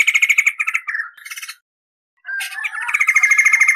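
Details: White-crested laughingthrush, tutor recording of clear rolling song: a quick pulsed trill dropping into slurred notes, a pause of about half a second, then a new rapid roll building in loudness.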